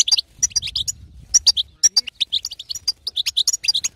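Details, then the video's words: European goldfinch female giving 'betbeta' to encourage a silent male to sing: crisp, high chirps and twitters in quick groups, with a faint low rumble early on. "أقوى بتبته حسون تهيج وتهبل الحسون الساكت"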